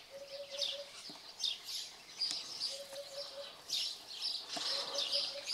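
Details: Eurasian hoopoe at Radiquero, Aragon, uttering short runs of three to four low, hollow 'oop' notes at irregular intervals, partly drowned by a lively chorus of high-pitched chirping birds and occasional clicks.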